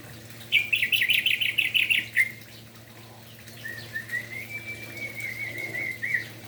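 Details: Orange-headed thrush morning song, aimed at prompting reluctant thrushes to sing: a fast rhythmic series of repeated warbled notes, then after a pause a long, softer drawn-out whistled phrase.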